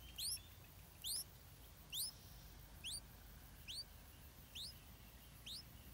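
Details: Begging stripe-throated bulbul chick being fed insects by its mother: a steady series of loud, thin, rising squeaks about every 0.9 seconds, fading slightly toward the end against quiet background.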